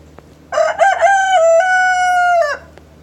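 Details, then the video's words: Loud, close morning crow of a rooster: a few choppy rising syllables open into one long steady strained note for over a second, ending with a short downward slur; quiet hum in the background. "Rooster Crowing in the morning"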